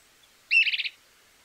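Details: Stripe-necked Tody-Tyrant, one of Argentina's common birds, giving one quick high burst: a sharp opening note run straight into about five rapid, slightly buzzy notes, all within half a second.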